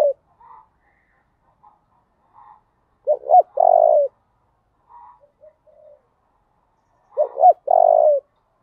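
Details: Spotted dove cooing in the 'thổ đồng' style meant to provoke males into responding and fighting; soft low murmurs, then two full phrases of quick stuttered notes ending in a drawn-out, falling coo.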